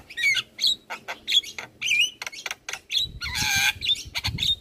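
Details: Master song of a Javan myna for tutoring other birds: grating squawks alternate with whistled, wavering notes, and a dense buzzy rasp breaks in midway before more clipped calls.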